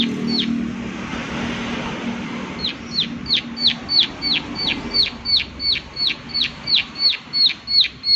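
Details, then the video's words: Low background murmur at first, then after a few seconds a prinia starts a regular 'klik klik' series of high, sharply falling ticks, roughly three per second to the end. "Prenjak Klik Klik Gacor"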